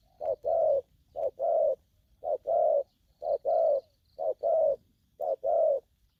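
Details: Aggressive young spotted dove in the local 'thổ' calling style, giving six paired coos: a short low note followed at once by a longer, fuller hooting coo, repeated about once per second, with faint ambient hum behind.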